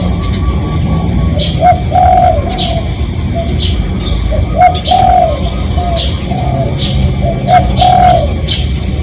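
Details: Spotted dove lure call, truly recorded, meant to attract other doves: two repeated cooing phrases of short and long mellow notes roughly five seconds apart, with other birds' sharp falling chirps and a low rumble behind.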